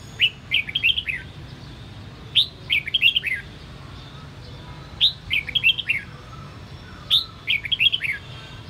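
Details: Captive red-whiskered bulbul singing in the Sông Kon voice style, recorded for voice training. Each phrase is a sharp rising note followed by a quick cluster of tumbling chirps, repeated about every two and a half seconds, four phrases in all.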